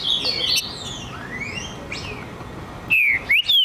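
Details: Green-winged saltator, a true trinca-ferro, answering after being provoked: faint sweeping whistles early on, then loud clear slurred whistled notes near the end, one descending and one rising, over a steady hiss.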